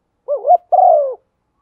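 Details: Stimulating coo of a female spotted dove meant to rouse a male, used for luring. A soft wavering rise is followed by a longer, steady, slightly descending coo. The recording is clean and quiet.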